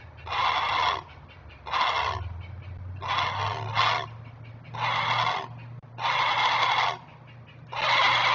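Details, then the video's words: Great blue heron parent on the nest sounding alarm while defending its young, webcam recording: about seven gravelly squawks in irregular rhythm, roughly one each second, over a low hum. "Great Blue Heron Alerting While Protecting Kids"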